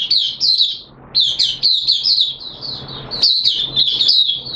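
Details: Hobby oriental white-eye in opening song, 6 September 2022, wet weather: bright, high chattering phrases, a short break near one second, then a long, continuous twittering warble.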